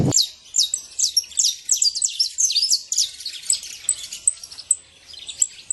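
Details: Free saffron finch in the wild: crisp, high chirps and quick slurred notes in an irregular rapid series, about two or three a second, against a quiet background.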